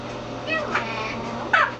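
An Eclectus parrot mimics human speech, repeating "mama" in a raspy, voice-like tone with a louder, strained second syllable near the end.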